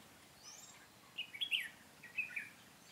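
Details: Red-whiskered bulbul used as a decoy during trapping, singing a brief fighting song: a quick cluster of sharp warbled notes, then a second short phrase.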